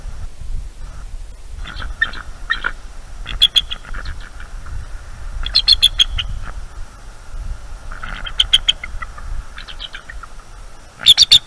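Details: Alert eagles at their nest at night, 23 October 2021, reacting to an owl that harasses them: scattered bursts of shrill, stuttering chatter over a faint low rumble.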